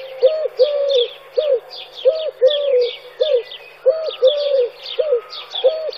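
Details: Turtle doves recorded in Wittlich, Germany, in 2017, giving a steady run of low, rounded coos about every half second, paired in short and longer notes, over busy high twittering from other birds.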